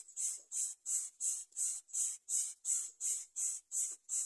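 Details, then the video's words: Young greater coucal crying for food: a steady series of harsh, hissing bursts. The bursts repeat about every third of a second, very regular and even in loudness, with little other sound. "Greater coucalBirds watch crying for food forever"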